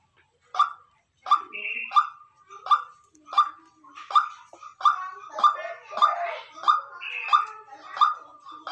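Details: White-breasted waterhen calling naturally, a long series of harsh, repeated nasal notes that grow busier and overlapping toward the middle, with occasional higher buzzy notes mixed in.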